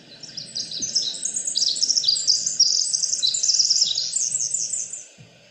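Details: Pacific wren singing in the coastal rainforest of the Pacific Northwest: an extended, very high cascade of rapid trills, chatters and tinkling notes, continuous for about five seconds before stopping, with quiet low background hum.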